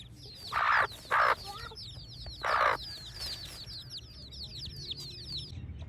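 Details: Chicks chirping in a village morning: a continuous flurry of high, sharply descending peeps, interrupted early by three loud, broad clucking bursts from an adult chicken.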